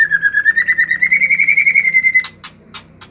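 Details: Rapid, steady trill from an excited white-rumped shama, meant to provoke other shamas into singing; the pulsed notes climb gently in pitch for two seconds, then stop, leaving a few sharp ticks.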